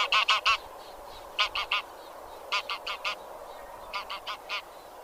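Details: Geese in the genus Anser, heard as loud bursts of three or four honks, then quieter, more distant honks in similar groups, with faint hiss between.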